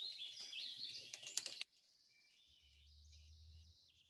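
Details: Wilson's Warbler song, likely recorded in the Sierra: an insistent, percussive, staccato series of high chattering notes for about a second and a half, notes drawing closer together toward the end, then faint background hiss.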